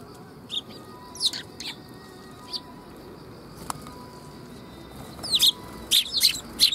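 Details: Sparrows gathering to be fed at a Tenmangu shrine, 3 October 2021: sparse, thin chirps at first, then a run of louder, sharp chirps near the end, with a faint steady tone behind.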